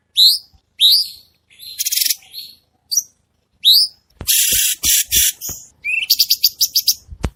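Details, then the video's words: Red-whiskered bulbul, clear-voiced masteran for cage birds: rising whistled slurs alternate with high buzzy rattles, then dense harsh bursts with clicks and rapid chattering 'tembakan' notes. "Masteran Cucak Cungko Istimewa | Tembakan Tajam Rapat Suara Jernih"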